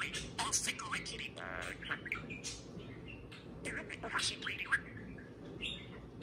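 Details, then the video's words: Talking pet parakeet indoors: a busy run of warbled, speech-like mutterings, short whistles and chirps, rising and falling in pitch, with moderate room noise beneath. "Pixel the Parakeet Talks + Kiwi serenades a can of beer"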